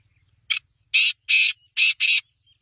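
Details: A harsh call from a black francolin: one short clipped note, then four loud rasping notes in two pairs over about two seconds, against a silent background.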